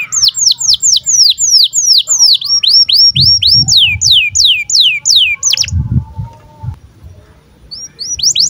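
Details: Breeding-condition (birahi) canary chirps used to tutor young birds: a long run of clear, high, descending whistled sweeps, about three each second for five seconds. After a short pause a few more sweeps follow, with a faint low hum beneath.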